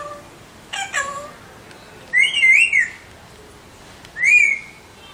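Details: Alexandrine parakeets giving a short harsh squawk followed by two drawn-out wavering whistles, about two seconds apart, over low background hiss.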